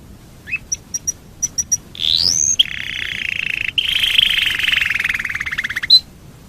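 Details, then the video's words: Domestic canary song used as a lure to make other canaries sing: scattered high chips, then a rising whistle and long rolling trills, with a final sharp note. "Pancingan burung kenari super ampuh"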